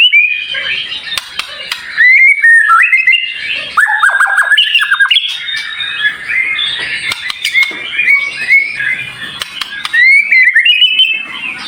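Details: White-rumped shama in full varied song, dense and high-pitched. Harsh squawky notes mix with quick upward-flicked whistles and chattering phrases, delivered almost without pause.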